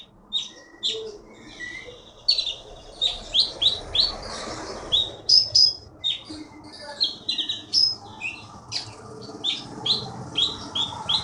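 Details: Caged konin from the Bangka forest, a prize-winning contest bird in Bangka Belitung, pours out a fast continuous string of sharp high whistles, chips and trills, with a faint rushing background.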